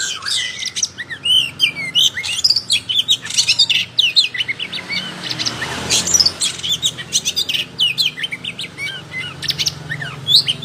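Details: Oriental magpie-robin singing in full voice with its tail spread: a busy, continuous stream of sharp chirps, quick whistled slurs and rising and falling notes, with a steady low hum underneath.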